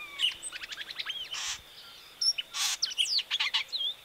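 Variable oriole singing a fast, varied run of high whistled notes, slurred rising and falling phrases mixed with sharp chips, with two brief bursts of rustling noise.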